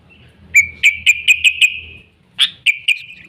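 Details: Sooty-headed bulbul song used as a lure for trapping wild birds: a row of six sharp whistled notes settling into a steady tone, a pause, then three more clipped whistles, with faint low hum behind.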